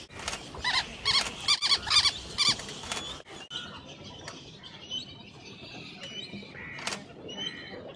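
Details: River tern at Ranganthittu Bird Sanctuary, Mysore, India, giving a quick run of harsh, grating calls, about six in three seconds, as fainter chirps from other birds carry on behind.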